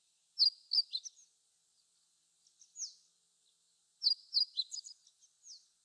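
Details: Hojiro or meadow bunting perched atop pampas grass, singing; rapid clusters of sharp high chirps and slurred notes, a pause, then another fast tumbling phrase, with faint steady background hiss.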